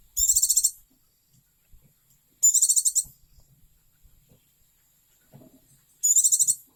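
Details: Oriental white-eye, a cherished pet, repeating a piercing, rapidly pulsed high trill three times, each roughly half a second long and about two to three seconds apart, over a quiet background.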